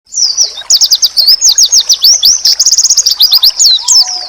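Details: Oriental white-eye masteran song, said to make rival white-eyes answer at once: a fast, unbroken twitter of high, sharply slurred chirps, many rising or falling, with a faint low steady whistle near the end.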